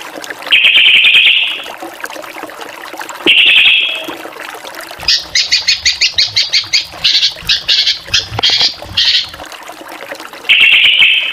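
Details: Drongo in lively varied song: long grating buzzes alternate with a fast series of about a dozen evenly spaced, ringing harmonic notes, repeated roughly every third of a second.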